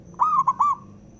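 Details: Zebra dove male cooing to stir rival doves into singing, one phrase of three soft, tremulous, slightly falling coos run close together over a faint steady high hum.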